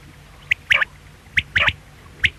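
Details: Brief quail calling: short high notes, then a fast double note, repeated twice, with low background hum.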